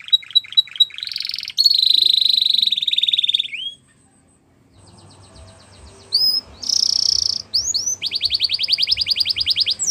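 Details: Young-canary training song from a canary: quick repeated notes leading into a long steady buzzy roll, a pause, then more rolls and a fast pulsing trill with faint background noise.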